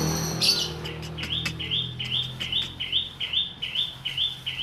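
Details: Grey-cheeked bulbul, a raw captive bird not yet in full song; a steady series of short upslurred chirps, roughly two per second, with a rumbling low hum beneath.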